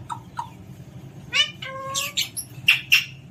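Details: Playful pet Alexandrine parakeet giving a mix of short chirps, one longer level harmonic whine and a few sharp, harsh squawks near the end.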